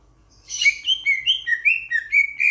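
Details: A Sulawesi myna, the loud starling-like bird of Sulawesi, Indonesia, opens with a harsh burst, then runs rapid rolling whistles that alternate higher and lower, about eight notes in two seconds.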